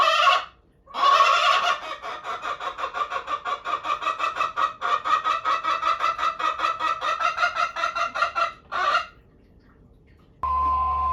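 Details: Pet Araucana chicken at home, which uses different calls in different situations: a loud opening burst followed by a long, rapid run of even clucks repeated many times a second for about seven seconds. A final louder squawk follows, then background noise.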